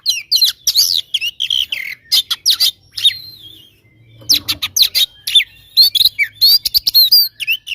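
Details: Oriental magpie-robin singing aggressively to rile rivals: loud, rapid volleys of high chirps, slurred whistles and buzzy notes, a short break in the middle, then more dense chattering phrases.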